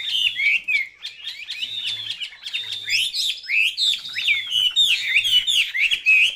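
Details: Captive Chinese hwamei singing vigorously: rapid, loud, varied whistles with sharp rising and falling slurs, delivered in a nearly continuous stream. A faint low hum sits in the background.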